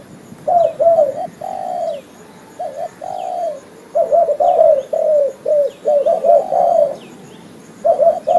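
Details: Spotted dove cooing used as a trapping lure: after a brief quiet start, short rounded coos come in clustered bursts with small gaps. Distant thin bird chirps sound overhead.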